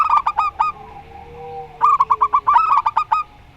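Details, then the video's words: Rondo Semoyo style song of a local zebra dove, heard against a strange-voiced zebra dove: a fast run of clipped coos, a low steady hum, then a dense stretch of overlapping staccato coo notes. "Perkutut Lokal Rondo Semoyo VS Perkutut Suara Aneh"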